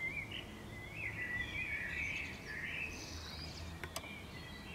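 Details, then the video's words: Common swift (Apus apus) visiting nest boxes in summer before a pair settled, clinging to a wall; a buzzy rattling scream rises and falls for two seconds, fainter screams follow, then sharp clicks and a thump. "Common Swift banger on wall of neighbours"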